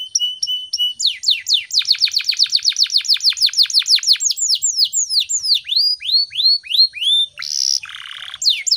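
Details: Morning lure song of a vigorous canary for training other birds: flat whistled notes lead into an accelerating run of down-swept notes that slows, with a buzzy burst near the end.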